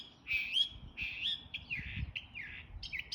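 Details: A bird making different sounds: a run of loud, clear whistled notes, some swooping up and others dipping down, given in quick succession.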